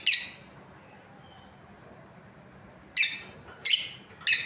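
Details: A breeding pair of lovebirds producing loud raspy chirps, one opening note then a run of three evenly spaced harsh calls after a pause.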